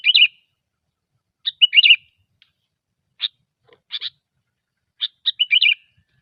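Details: Sooty-headed bulbul singing gecor, used as a trapping lure: bright chirps and short bubbly warbled bursts in irregular groups about every one to two seconds, with brief pauses between, over an otherwise silent background.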